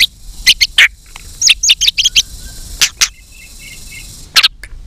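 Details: White-rumped shama giving a fighting song while flicking its tail: sharp high clicks and chirps in quick bursts, a few soft low whistled notes between them, with a faint steady hiss behind.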